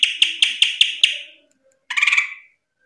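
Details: Greater green leafbird giving a bright series of six sharp, rapidly repeated notes, followed after a pause by a denser burst of quick chattering notes, all high-pitched and clear in a quiet room.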